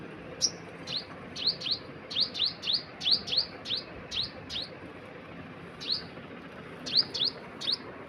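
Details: A bird gives scattered high, thin, downslurred chips, sometimes in pairs, with a short pause midway, over soft background noise.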